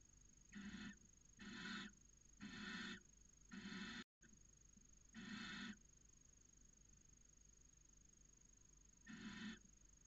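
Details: Inside a Cabañeros National Park nest box, a barn owl pair mating in late January; rasping screech-like bursts, four in quick regular succession, then two more after longer gaps, over a low constant background hum.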